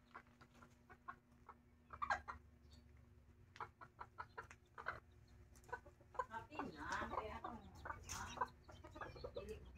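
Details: Mother hen with chicks: scattered short clucks and sharp peeps, growing into a denser, louder burst of clucking and chick chatter in the second half, with faint background noise.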